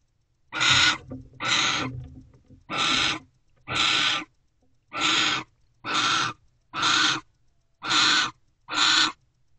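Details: Owl pair mating at a nest box on 28 December at 5:19 am, just after returning to the box: harsh, hissing rasps repeated about once a second, nine bursts in a row, with a faint low rumble early on.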